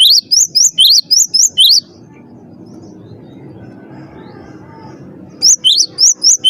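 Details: Cinereous tit song used as a master recording for training birds: bursts of rapid, high, rising whistled notes with strong harmonics, about seven notes, a quiet pause with low murmuring background, then the series resumes.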